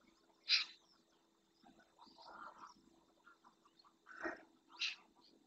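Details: Eurasian magpies, a small flock feeding on invertebrates in the marsh of Doñana National Park, Spain, filmed by a fixed camera: a few loud, harsh, broadband bursts spaced seconds apart, with softer murmuring bird sounds between them.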